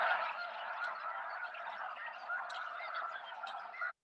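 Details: A large flock of Snow Geese, likely flying over in a V or flock, gives many high, nasal, yelping honks that overlap into a steady clamor. They are transient migrants passing through the Chicago area.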